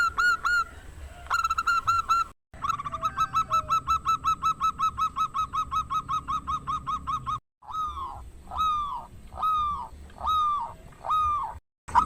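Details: Loud-voiced local zebra dove from Indonesia, singing to draw rivals into answering: a long run of rapid hooked coos, then slower, fuller drawn-out notes about every second, with a faint constant high whine.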